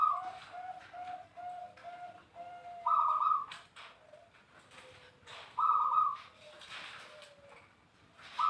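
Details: Zebra dove song meant to prompt other doves to sing, opening with a run of short, soft, lower coos, then louder rolling cooed phrases recurring every two to three seconds, with faint knocks between.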